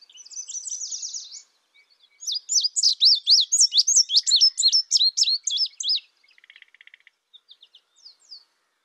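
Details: Indigo bunting opening with a high buzzy trill, then a loud string of sharp, evenly spaced downslurred chirps, followed by a low rattling buzz and a few scattered notes before silence.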